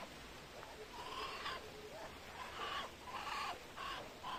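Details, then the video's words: Muscovy duck giving short, rasping hisses mixed with thin whistled squeaks, about five bursts in four seconds, each airy and noisy. "Muscovy Duck Hissing sound"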